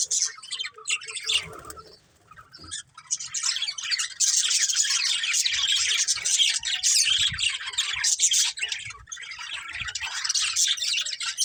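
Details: Budgies in a lively group: a quieter, scattered start breaks into continuous raspy warbling and sharp chirps that keep up without a break.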